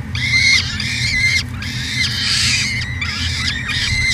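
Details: Nest cam peregrine falcon in Edmonton, Canada, 2017, at the University of Alberta: four drawn-out, harsh, ringing wails, one after another, with a constant low hum underneath.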